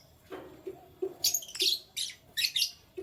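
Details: Canary chirps in the morning: bright high twittering bursts in quick succession, while soft low hollow pulses repeat in the background.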